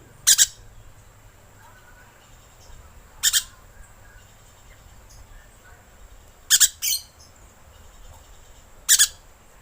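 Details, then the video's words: Rainbow lorikeet calling to lure birds: loud, grating double screeches, four main bursts about three seconds apart, one followed closely by a shorter squawk, over near silence and a thin steady whine. "Suara Pemikat Burung Perkici Hijau"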